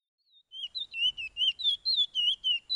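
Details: Chestnut-bellied Seed-finch training song, the Surinamese 'pijé-pijé' type: a fast run of about nine clear, high whistled notes that slide up and down, in a quiet setting.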